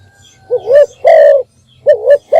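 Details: Spotted dove giving a morning call meant to draw in other birds: deep rising-falling coos in a short phrase over a low background hum, with faint higher chirps.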